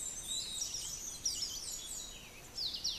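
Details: Scaled piculet, a restless little woodpecker, recorded between Barinitas and the hamlet of Miraflores in Barinas, Venezuela, on 28 April 2016: very high, thin, sharply descending squeaky notes in loose series over steady background hiss.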